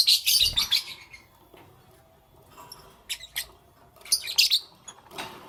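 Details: Lovebirds in the morning giving shrill, scratchy chirps in short loud bursts, one at the start and more near three and four seconds, separated by a long quiet stretch.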